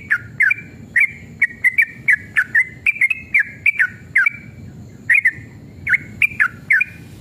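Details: Yellow-vented bulbul (trucukan) in full fighting-mood song, played as a lure so other birds respond. Lively, liquid chirps tumble out several per second, with a few brief breaks, over a quiet background hum.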